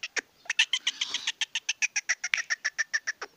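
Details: Excited young male black francolin of the Sindhi type gives rapid, dry, pulsed notes, about three to four each second, with a brief rough burst near the start.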